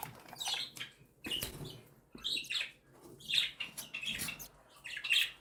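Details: Begging from cockatiel chicks aged one and seven days while the mother bird feeds them; scratchy high-pitched chirps in irregular bursts, with rustling and shuffling sounds between.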